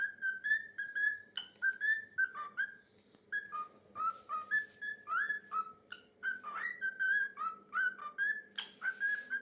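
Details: A male pet cockatiel, singing and dancing to a foot he is obsessed with, sings his own run of clear whistled phrases, sliding up and down with brief chirps between.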